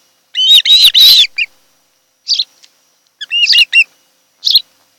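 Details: At a Kent Island, Maryland nest on 26 July 2018, an osprey gives a loud, drawn-out, ringing whistled call, followed by a few scattered sharp chirps and a short double whistle.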